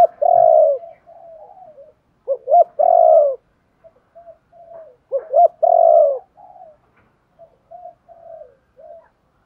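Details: Repeated spotted dove call to spur newly caught birds into calling: three cycles of short hoots leading into a long, low, rolling coo, with quiet murmuring notes in the gaps.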